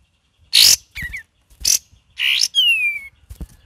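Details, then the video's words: Cream-vented bulbul singing in full voice with ngeriwik variations: loud harsh bursts of chatter followed by a clear whistle sliding downward, then a short sharp note. "KAPAS TEMBAK VARIASI GACOR DAN NGERIWIK"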